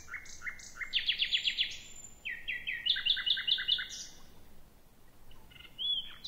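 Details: A male Common nightingale sings at night, near midnight, in rivalry with a neighbouring territorial male: rich phrases of rapid repeated whistled notes, a fast run of about eight bright pulses, then buzzy and sliding notes over faint hiss.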